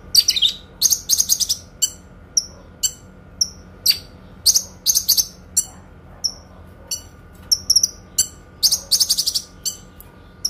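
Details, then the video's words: Kinoi songbird, used for training other songbirds, delivering dense, shrill chirps and short trilled bursts in quick succession, separated by brief gaps, with a low hum underneath. "TEMBAKAN PANJANG, SUARA JERNIH BURUNG KINOI"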